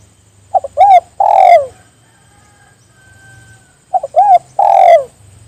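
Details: Calling spotted dove urging others to sing along; two phrases of brief stuttered notes, an arched hoot and a long falling coo, with a low hum and faint tone between them.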